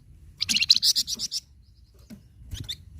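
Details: Flamboyan bird, kept as a captive songbird, delivers a rapid string of high, piercing chirps for about a second. A few scattered faint notes follow over a soft low hum.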